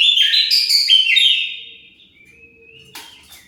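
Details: Kacer song used to provoke answering birds: a fast, loud sequence of varied whistles and chattered notes for about one and a half seconds, then a faint drawn-out whistle and a soft click.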